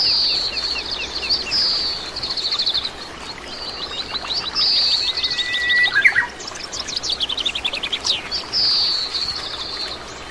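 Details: Oriental greenfinch, a common resident bird throughout Korea, giving high twittering notes and quick trills, with one flat whistled note near the middle and more chatter towards the end.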